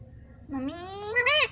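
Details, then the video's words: Talking parrot imitating the word "mummy": one drawn-out, nasal, rising voiced utterance lasting about a second, climbing in pitch and ending in a louder, higher, slightly falling syllable, in a quiet indoor room. "मम्मी पापा बोलता तोता"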